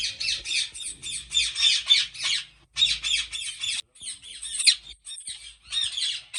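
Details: Captive ringneck parrots at Pakistan's biggest breeding farm keep up a dense, continuous screeching chorus of rough squawks, about three or four a second, with brief gaps.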